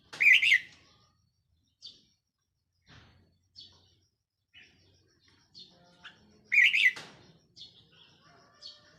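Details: Decoy red-whiskered bulbul, 4 May 2023, giving two rich, rapidly twisting phrases about six seconds apart, with soft high notes between and some faint lower tonal sounds in the background.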